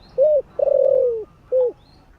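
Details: One morning 'gáy gọi' phrase from a spotted dove with a warm voice: a short mellow coo, a drawn-out coo sliding gently downward, then a brief closing coo, cleanly recorded.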